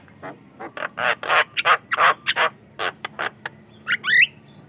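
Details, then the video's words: Javan myna singing vigorously, a sound used to lure and train other mynas: rapid harsh, grating chatter notes in an uneven burst, closing with a squeaky rising whistle. "COCOK UNTUK PANCINGAN JALAK KEBO BAHAN || jalak kebo gacor calon pemasteran"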